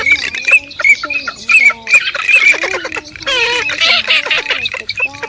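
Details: Garganey call recording used to lure migrating birds into nets at night, August 2023 season: a rapid run of nasal, squawky calls, overlapping and repeated several times a second, with a dry, crackling edge.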